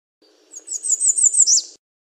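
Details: Song of an American redstart: a rapid string of very high, sibilant notes, about eight in a row, finishing with an emphatic falling slur, over faint background rumble.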